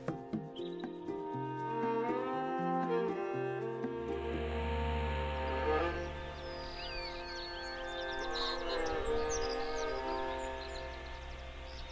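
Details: Slow orchestral music with sustained bowed strings and low chords, with no animal calls.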